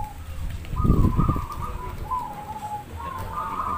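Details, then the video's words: Zebra dove singing at a local community dove contest in Demak, Semarang: a string of soft, buzzy trilled coos at steady pitch with slight steps, over crowd murmur and a low rumble. "Lomba Perkutut"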